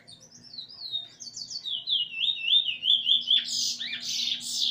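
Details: Eurasian bullfinch singing together with its teacher bird during song learning, 13 August 2020: a descending run of quick whistles into a steady repeated note, then a harsh, noisy burst at the end.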